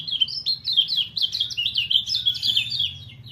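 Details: White-eye song: a loud, rapid, high-pitched twittering warble of quick rising and falling notes, pouring out without pause for over three seconds, with a faint low hum beneath.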